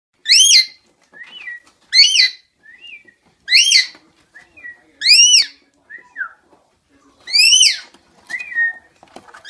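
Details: Rainbow lorikeet (Trichoglossus moluccanus) giving loud, shrill, arching screeches about every one and a half seconds, with softer high chirps and chatter in between.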